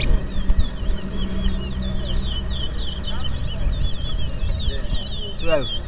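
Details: During a Berbice song race between two twa-twa finches, a steady stream of quick, high, warbled notes continues without pause while people talk and count in the background over low rumble.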